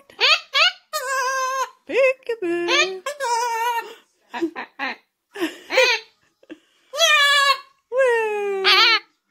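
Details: Cockatoo named Ozzie singing in wavering, voice-like phrases, rising and falling in pitch in bursts of one to two seconds with short pauses between.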